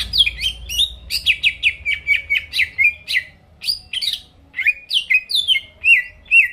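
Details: Greater green leafbird singing to provoke rivals: a rapid run of sharp, downward-slurred whistled notes, high and clear, delivered in quick irregular bursts of two to four, with some overlapping chirps and near-silent background.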